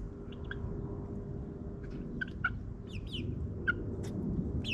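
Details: Nine-week-old backyard chicks in a suburban yard give sparse chirps and short clucks in small clusters, with a constant low mechanical drone behind them.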